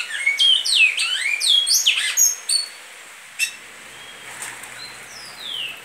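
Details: Bicudo, or great-billed seed finch, delivering Goiano liso style song: about two seconds of rapid, varied whistled slurs, then near silence with a click, a short whistle and one long falling whistle at the end.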